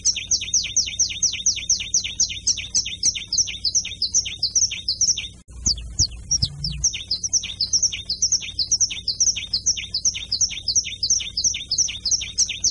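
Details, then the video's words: Canary singing in the carretilha style: a rapid rolling series of high, falling notes repeated almost without pause, running steadily on either side of one brief break partway through, with faint low background noise. "CANTO DO CANÁRIO CANTO CARRETILHA"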